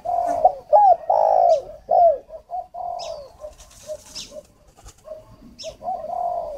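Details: Spotted dove decoy bird from northern Vietnam (Ba Vì, Hanoi) calls for luring: strong hooked coos early, then quieter clipped cooing notes, thin high squeaks from other birds in between.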